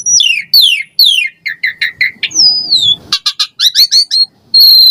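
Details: Asian pied starling song used as a prompt for caged birds: falling whistled sweeps repeated three times, short chattering notes, a long wavering whistle, then rattling bursts and a sustained high whistle.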